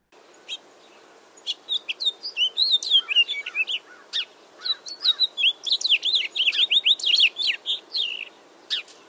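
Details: House Finch in an eastern North American backyard sings a long, jumbled warble of short twittering notes rising and falling, in two rambling phrases over a quiet background.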